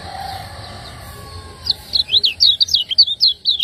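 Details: Lemon-bellied white-eye, a caged Lombok songbird, in 'ciak ngejos' master song: quiet hum at first, then from the halfway point a brisk, tightly repeated series of shrill chirping notes to the end.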